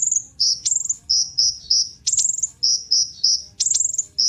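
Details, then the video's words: Kolibri ninja sunbird song meant to encourage other birds to sing: sharp, high chip notes repeated about three per second, mixed with short, thin descending trills. "Kolibri Ninja Pancingan Penggacor Burung Cocok Buat Isian Segala Burung"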